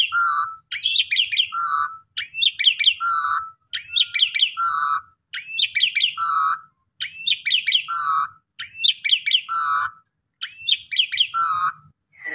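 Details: Asian pied starling song played to encourage reluctant starlings to sing: about eight evenly spaced phrases, each a cluster of high chirps followed by a lower buzzy note, with faint low background rumble.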